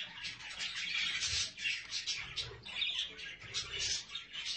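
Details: Budgerigars, adults with chicks, chatter in a dense, continuous stream of high, scratchy chirps and warbles, several birds calling over one another with no pause.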